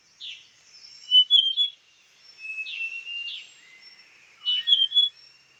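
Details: Female Large Niltava, Doi Inthanon, Chiang Mai, Thailand: a series of short, clear whistled notes, some rising and some sliding, in bursts about every one to two seconds, with a few softer chirps between them.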